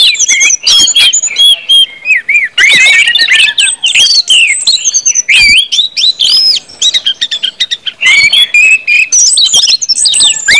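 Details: Loud ngeplong song of an Orange-headed thrush, used as a lure to make birds sing: long stretches of varied whistles, squeaky chirps and rapid twitters, pausing briefly before resuming energetically.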